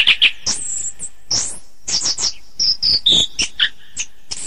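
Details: Orange-headed thrush singing a masteran phrase: loud opening chips, then swooping high whistles and scratchy notes interspersed with brief silences.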